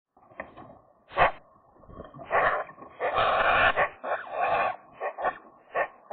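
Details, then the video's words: Eurasian magpie at its nest on a sunny, slightly chilly day, while rival magpies challenge for ownership of the nest; harsh, scratchy chattering bursts mixed with softer nasal warbled notes, delivered irregularly with brief pauses. "magpie nest challengers part 3, nice song"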